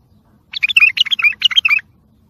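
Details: A bulbul sings a short sihan phrase, offered as training material for young birds: eight or so fluty, bubbling notes packed into just over a second, rich and rolling, with a soft low rumble underneath.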